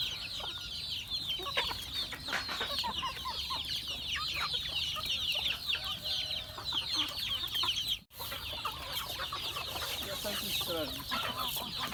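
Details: Farm chickens at feeding keep up a long, unbroken chorus of high chirps and peeps, interrupted by a brief gap, with scattered lower clucks and a few rising calls toward the end.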